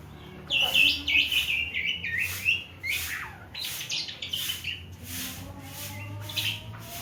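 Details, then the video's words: Javan pied starling learning to sing, opening with loud, jumbled squeaky chirps, then softer scattered whistles and twitters that fade toward the end. "burung jalak suren belajar bunyi"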